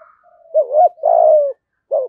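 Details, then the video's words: Spotted dove decoy bird singing in the 'giọng thổ' style: a soft lead-in, a wavering double coo, a long falling coo, then the opening note of the next phrase after a short pause. "Chim Cu Mồi Giọng Hay/ cu gáy giọng thổ đủ bài"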